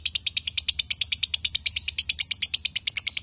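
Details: Male and female lovebirds in konslet chatter: evenly spaced, sharp, high chirps in quick succession, about eight per second, each note buzzy and bright, continuing without pause.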